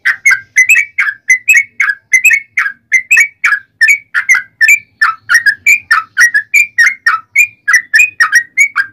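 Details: Fighting song of a yellow-vented bulbul, a long rapid-phrase lure meant to provoke other bulbuls into replying: brisk, evenly paced chirpy whistles, each a short warbling slur, running without a break.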